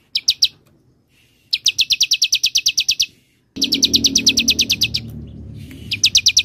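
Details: Semi-style Bar-winged prinia song, played as a lure and tutor for songbirds: fast trains of bright, clipped high notes in bursts of up to fifteen, with faint low background rumble during one burst.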